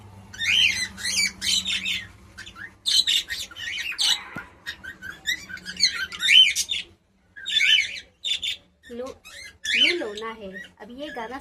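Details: A female pet cockatiel that is learning to sing chirps busily indoors: rapid runs of sharp, up-and-down notes in bursts, with brief pauses and a few lower, scratchy calls near the end.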